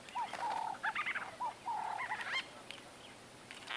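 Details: Close-up conversation among white-fronted bee-eaters: clusters of soft, curved mid-pitched notes in quick series with brief higher chatter, then fading to a quieter pause with faint calls.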